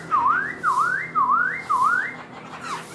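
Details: Singing-dancing black-throated laughingthrush, tail spread like a fan: four loud V-shaped whistles, each dipping then sweeping upward, repeated about every half second, followed by a softer falling note.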